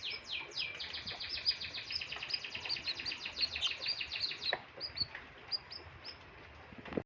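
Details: Canary in strong breeding condition singing: a fast run of repeated high, downward-sweeping whistled notes, about a dozen per second for four seconds, then slower separate chirps with light background noise.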